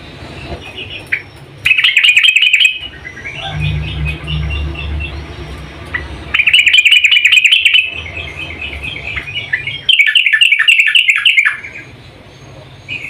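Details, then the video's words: A female yellow-vented bulbul calls the male with three loud bursts of rapid, bubbly chattering, each about one to two seconds long, separated by quieter gaps with faint twitters and a low hum. "Kicau trucuk BETINA memanggil JANTAN"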